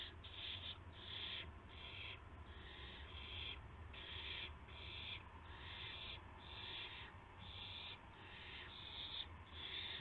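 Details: Dawn at an owl nest on March 26 2016, around 5:50 AM, when a gopher and a mouse are brought in. Steady rasping hisses come in short bursts, over a dozen in ten seconds, over a low hum.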